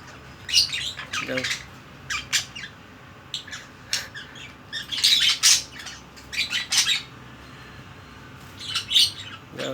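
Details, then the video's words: Pet budgerigars, coaxed by their owner to move about and meet a mate, give bursts of harsh, scratchy chatter and squawks in irregular clusters, high-pitched and buzzy, with faint room noise behind. "বাজরিগার পাখির ডাক"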